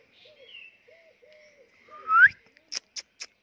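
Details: Talking pet parrot giving soft wavering tones, then one loud rising whistle that sweeps sharply upward, followed by three short dry clicks; quiet background.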